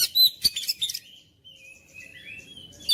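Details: Oriental magpie-robin singing a burst of scratchy chirps followed by long, thin, drawn-out whistles that rise and fall gently, ending with a sharp note.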